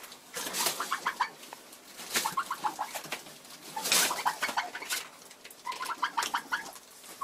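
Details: Broody Bronze turkey hen, frustrated, recorded in February: clusters of quick, nasal, tonal clucks in runs of three to six, separated by pauses, with sharp rustling and clattering noises throughout.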